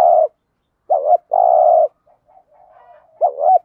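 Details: Spotted dove, a lure recording of male and female birds in the 'thổ đồng' voice used to train decoy doves: low cooing phrases, a short double coo then a long even coo, repeated, with a fainter coo between.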